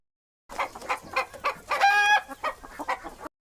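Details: Chicken clucking in a rapid series of short, throaty pulses, about three or four a second, with one longer, louder, harmonic squawk near the middle.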